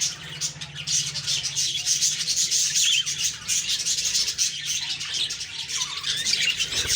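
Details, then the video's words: Budgerigars heard on the morning of October 2, 2023: constant high chirping and grating squawks from many birds, with brief whistled notes scattered through the steady twitter. "Beautiful morning birds chirping sounds/Budgie sounds"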